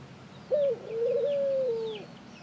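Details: Ring-necked dove calling: a short, slightly higher opening note, then a long, level, mellow coo that tapers off over about a second and a half. Faint chirps from other small birds are heard in the background.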